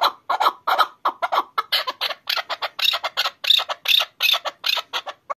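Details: An excited chukar kept for hunting repeats hoarse, clucking chuck-chuck notes in a continuous rhythmic stream, roughly four each second, growing louder and more strident toward the end.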